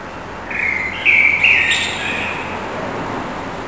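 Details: Common blackbird resident on a town street, singing at 4:15 am on 21 March 2010 after returning from winter: a clear fluted phrase around mid pitch rising into a brighter whistle, then a thin high twittering tail, over faint steady background hum.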